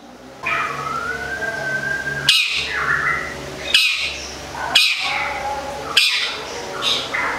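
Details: Long-tailed shrike, local cendet from Gedong Songo in Central Java, giving a drawn-out rising tone followed by a series of harsh, rasping squawks about once a second over a low steady hum.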